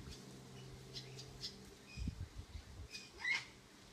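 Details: Cockatoo at Airlie Beach giving short, harsh, broadband squawks, a couple near the middle and a louder rasping one toward the end, over a steady low hum and faint scattered chirps.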